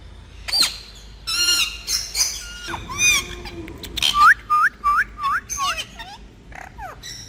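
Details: Group of talking parrots producing sharp clicks and squawks, then a row of five short rising whistled notes about every third of a second, followed by scattered chirps.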